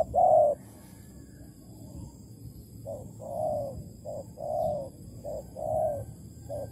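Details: Trap decoy spotted dove of Malaysian type, August 2020: one loud opening coo, then a run of softer, more distant short-and-long cooing notes over a low background hum.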